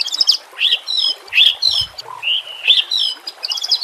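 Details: White-rumped shama 'nembak kasar' song used to train caged birds. High, harsh, buzzy chirped phrases come at roughly half-second intervals over a rushing background.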